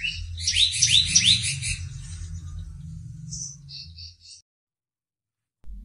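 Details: Caged wild-caught Sumatran prinia, newly settled and starting to sing with short, very loud phrases: a fast run of sharp high chips and rising whistles, then a few scattered thin notes before silence; faint low background rumble.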